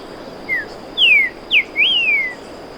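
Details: Streaked saltator song: a short phrase of four clear whistled notes, a soft falling slur, then two louder downslurred whistles and a final long rising-then-falling whistle, over a quiet steady background hiss.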